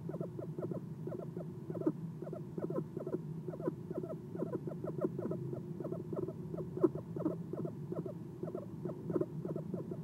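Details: Eastern screech owl perched at a nest box in the early morning hours of 6 November 2016, captured by a nest cam: a rapid series of short, soft chirping notes repeated many times per second, over a steady low hum.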